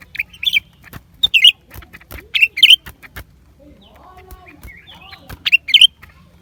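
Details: Song of a lesser green leafbird: short clusters of high, squeaky, looping notes at irregular intervals, separated by pauses filled with faint clicks and a soft lower murmur.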